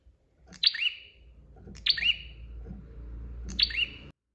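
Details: Bar-winged prinia in lively, persistent singing on a master recording: three sharp, high chirp bursts, each a quick downward-sliding double note, spaced about 1.4 seconds apart over a low steady hum and soft thumps.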